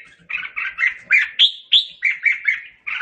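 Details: Red-whiskered bulbul sings to gather its flock: evenly spaced, bubbly chirped notes about four per second, a few sharper upslurred whistles in the middle.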